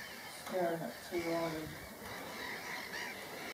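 Two harsh, nasal gull cries, each under a second, drop slightly in pitch over a steady background hiss of wind or distant noise.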